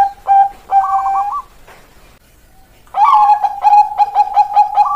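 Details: Zebra dove of the Bangkok type, its song used as a lure to start lazy doves singing: a short cooing phrase, a brief quiet pause, then rapid staccato 'kok kok kok' notes repeated evenly.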